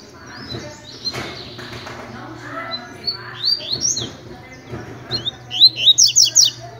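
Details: Double-collared seedeater, a tutor bird singing pure tui-tui style song: bright, high buzzy phrases of rapidly repeated slurred notes near the end, earlier notes fainter over background murmur and a low steady hum.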